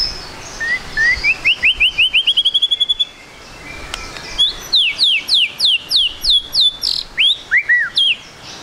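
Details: White-rumped shama song used as a lure so birds sing quickly: a fast series of high thin ascending notes, a brief pause, then a run of sharp downslurred whistles.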